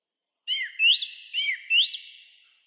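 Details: Song thrush high in a pine near Zarechny on an April 2023 evening, after 6 pm; a clear two-part phrase, a falling note then a rising-and-falling whistle, sung twice in succession, loud and ringing.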